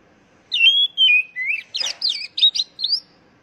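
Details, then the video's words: Whistled song of a kacer, the oriental magpie-robin, used to prompt captive birds into song. Smooth, falling whistles give way to a quick, jumbled series of sharp, twisting notes, ending on a rising whistle. "Pancingan Burung Kacer Agar Cepat Gacor"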